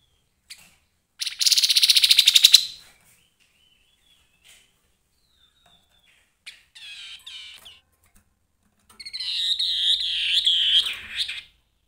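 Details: Grey-headed babbler in lively song: a buzzy, rapidly pulsed burst followed later by a run of wavering, warbled whistles, with short quiet gaps between phrases.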